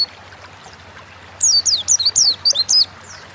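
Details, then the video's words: Oriental white-eye (pleci) sung as a lure to get kept birds singing fast; after near silence, a short burst of about seven high, downward-slurred chirps in quick succession. "Burung pleci gacor ngalas pancingan bahan agar cepat bunyi"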